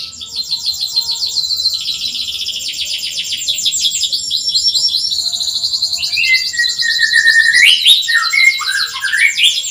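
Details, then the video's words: Canary song for teaching reluctant canaries to sing: a long, fast, high trill of repeated notes, shifting pitch midway, then slurred whistles swooping down and up near the end. "PANCINGAN BURUNG KENARI SUARA CUIT CUIT COCOK UNTUK MASTERAN BUAT YANG SUSAH BUNYI"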